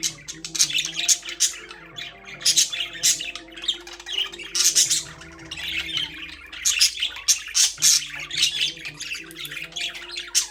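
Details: Caged budgies give a continuous warbling chatter of sharp, high tweets and rasping squawks that come in dense runs about every second. Low background music carries throughout.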